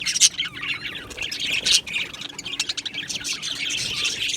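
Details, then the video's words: Colony of Australian budgies in an aviary chirping and singing, a dense continuous chatter of high, shrill, overlapping tweets and squawky notes with no pauses. A faint low hum runs underneath. "Budgie birds Chirping sounds"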